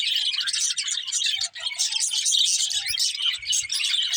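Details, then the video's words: Continuous high chatter from budgerigars, a bright tangle of raspy warbles and quick chirps with a brief dip midway, a few soft low taps behind. "Cute Budgies Chirping Sounds"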